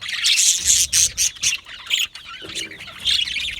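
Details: Australian budgies in an aviary, many chattering together: dense overlapping high chirps, squeaks and short whistled notes in quick irregular bursts, several birds calling at once with no clear pause.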